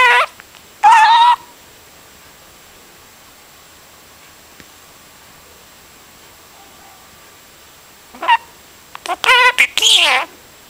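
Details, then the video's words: Pet budgerigar giving short, raspy, warbling bursts of chatter, said to sound like a broken record or radio, at the start and again near the end, with several seconds of near silence between. "Broken Record Birdy"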